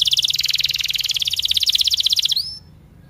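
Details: Chatty canary in training song for young canaries: a loud, rapid pulsed trill lasting over two seconds, closing with a rising slurred whistle before silence.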